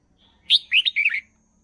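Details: Short burst of Red-whiskered bulbul song, used for training young birds: one lively phrase of four to five rapid, liquid whistled notes, dipping and rising.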